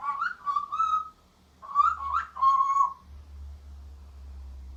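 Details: Kiwi, a tame male vosmaeri eclectus parrot about two years old kept indoors, talks in two bursts of nasal, speech-like warbling with rising and falling tones over a low steady hum.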